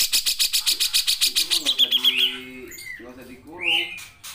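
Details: Gacor grey-cheeked bulbul (cucak jenggot) in long nembak singing for a training recording. A steady pulsed burst of about twenty beats runs into a high whistled trill, then nasal harmonic notes and a rising whistle.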